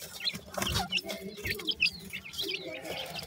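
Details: Young francolin chicks, dakhni teetar pair alongside sindhi teetar, give scattered sharp high chirps at an irregular pace, over low rumbling and shuffling background noise.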